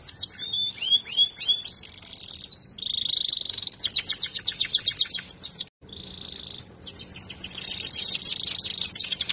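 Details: Canary bred for song performs quick swooping notes, a sustained high whistle, then fast pulsing trills, a short break, another held whistle, and closing rapid rattling trills; loud and close.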